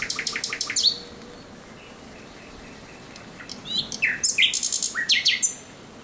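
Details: Thrush nightingale night song, 17 May 2023: opens with a fast series of rapid repeated high notes, a pause, then varied whistled and slurred phrases in quick bursts.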